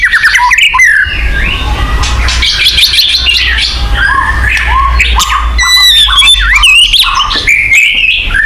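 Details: White-rumped shama song as a lure to make kept birds sing: a dense medley of chattering notes, short whistled loops and quick high upsweeps over a low hum.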